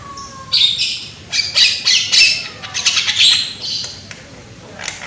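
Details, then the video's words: Javan myna (jalak kebo), a loud young bird used as a lure to make mynas sing: a dense sequence of harsh, rasping squawks and chatter, with a low thin whistle at the start. "PANCINGAN BURUNG JALAK KEBO AGAR GACOR !!! JALAK KEBO MUDA SUARA KERAS !!"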